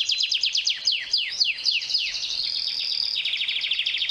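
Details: Canary singing to court a female: a fast series of steep descending whistled sweeps, then a rapid high buzzy trill of tight repeated notes near the end, about four notes per second in the sweep phrases.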